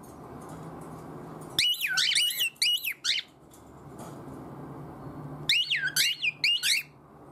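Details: Pet cockatiel demanding its owner's attention with odd, wordless vocalising: two bursts of rapid, warbling whistled notes that zigzag up and down, separated by several seconds of quiet, with a low steady hum indoors.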